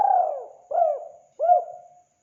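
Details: Spotted dove, a chatty caller recorded for hunting. A long, sliding hollow coo, then two shorter arched notes, each falling away into a faint trailing hum. No other sounds.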